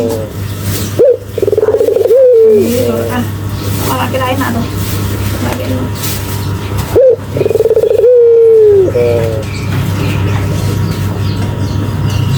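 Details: Barbary dove calling persistently: two coo phrases, each a short rising note followed by a long drawn, purring coo that falls slightly at the end, about six seconds apart, over a steady low hum and faint background chatter.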